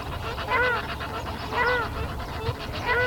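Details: Greater flamingo recorded on 19 February 2017: goose-like honks with bowed, ringing harmonics, three calls spaced just over a second apart above a low rumbling background of other birds.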